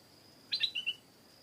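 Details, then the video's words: Close stripe-throated bulbul in a garden: one loud, quick phrase of bubbly slurred notes, dropping slightly in pitch toward the end, over a faint high insect whine. "เสียงนกดอกแตงEp.239 เจ้าของสวนบอกมีนกร้องดี พานกไปเช็คไม่ได้ยินเสียง(Stripe-throated Bulbul)"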